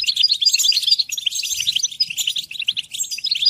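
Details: A European goldfinch in full song, tumbling bright tinkling notes delivered in quick succession, with short sharp whistles over a continuous high twitter and only faint low bumps.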